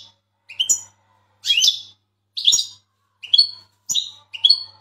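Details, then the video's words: Big Turkish European goldfinch in full training song, giving bright, twittering notes in short bursts about once a second, with a faint indoor hum underneath. "gold finch bigsize Full training singing"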